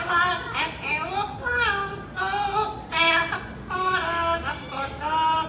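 A Yellow-naped Amazon sings a learned human tune in rich, voice-like phrases that slide up and down, with brief pauses between each sung line.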